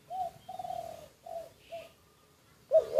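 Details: Quiet cooing from a secretly recorded decoy spotted dove: four soft, level, hollow coos of varying length, then a sudden louder note and a click at the end.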